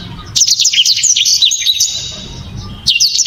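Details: {'text': 'Black-throated canary giving a hard, sharp, dense song. A quick burst of high chirping slurs fades into a thin sustained note, then a new twittering burst starts near the end.'}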